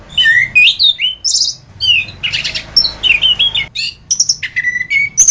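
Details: Orange-headed thrush song recorded as a training track for songbirds: varied whistled phrases, some rising and some falling, mixed with rapid buzzy notes and sharp chips, over a faint low hum.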